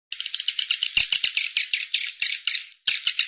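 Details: Edible-nest swiftlet lure sound for calling swiftlets: dense, buzzy, high chattering twitters in rapid overlapping bursts, almost continuous, with a brief gap near the end and a few sharp clicks.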